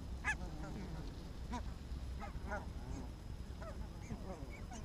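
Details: Barnacle geese on an evening walk in Arabia, Helsinki, 1 October 2014, give short, sharp yapping calls, single and in quick doubled bursts, every second or so, over a steady low rumble of distant traffic.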